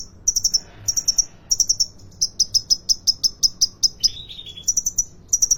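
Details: Caged sunbird, locally called kolibri ninja, in full song at the Depok bird market in Solo, Indonesia: rapid runs of high, piercing tinkling notes, one long steady train, then a short lower slurred trill before the chips resume.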